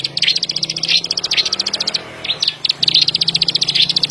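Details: Plain prinia chattering in rapid clicking trills, broken by a short pause near the middle before the fast ticks resume.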